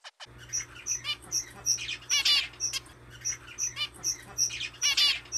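Zebra finches give repeated short, nasal, toy-trumpet beeps with buzzy chattering bursts.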